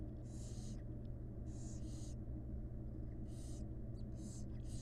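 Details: Feeding time for wild barn owl chicks in a research nest box, the mother bringing food. Six wheezy, drawn-out hisses, partly overlapping, suggest more than one chick, with a steady electrical hum underneath.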